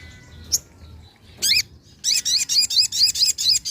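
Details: Lure recording of a Sunda pin-striped tit-babbler. A single harsh note is followed by a rapid, steady chatter of about ten bright, ringing notes, with a faint chirp near the start.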